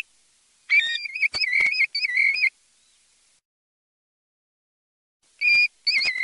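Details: Flowing, undulating whistled phrases from a European golden plover, a two-second warbling run followed by a long silence and then further wavering whistles.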